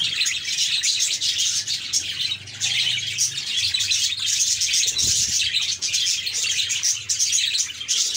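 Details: Budgies in a cheerful mood fill the air with an unbroken, lively mix of high twittering, squeaks and short piping whistles, with a faint low hum underneath.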